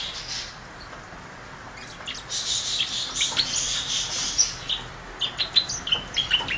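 Grass parakeets chattering: a busy stream of short, high chirps and squeaks, several per second, building up after a quiet start.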